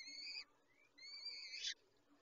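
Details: Peregrine falcon during feeding, giving two drawn-out, harmonically rich wailing calls, the second longer and ending in a louder, rougher burst, over a soft background hiss.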